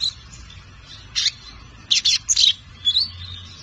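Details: A five-month-old lined seedeater, learning its song, gives short, high, scratchy chirps and buzzy notes in loose bursts as an unfinished practice song, over a quiet background hum.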